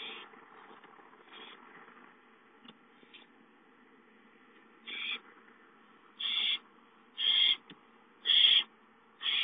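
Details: ['Owlets at home on 5-9-13, one calling for food: after a quiet start, harsh hissing screeches of about half a second each repeat roughly once per second, growing louder toward the end.']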